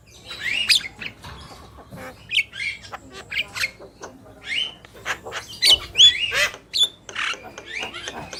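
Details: Male and female Javan mynas calling busily: rapid, irregular harsh squawks and chattering notes mixed with a few bright upslurred whistles.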